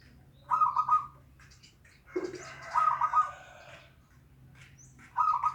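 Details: Local zebra dove song used as a lure to prompt a reluctant dove to sing: three stuttering, rolling coo phrases with quick pulsed notes, spaced about two and a half seconds apart, over a low steady hum.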